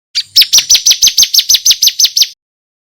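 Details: Bar-winged prinia of the 'kristal' type, recorded as a loud, clear tutor song for training contest songbirds: a rapid series of about eleven high, sharply downslurred notes, evenly spaced, then silence.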